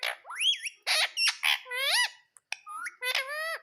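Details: Ring-necked parakeet kept as a pet, uttering varied screechy notes, rising and wavering whistled shrieks, and grating squawks in quick succession.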